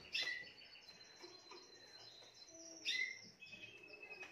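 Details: Timbrado canary, the seventh bird in a keeper's collection in 2020, singing: two loud bright notes near the start and around three seconds, with soft high whistled phrases and steady tones between them.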